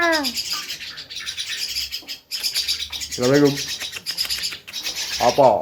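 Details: Javan myna uttering descending nasal notes, long raspy hissing chatter and bursts of voice-like harmonic calls, as a person repeatedly greets it.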